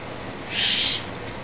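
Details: Juvenile Tengmalm's owl in captivity, playfully grabbing at a hand, making a single soft, airy hiss lasting under half a second, with a steady faint background hum.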